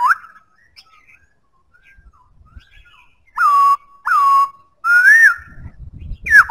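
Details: Loud whistled song of a black-throated laughingthrush: two sharp swooping notes that level off, then a longer rising-and-falling whistle, with a final downslurred note and faint low rustling at the end.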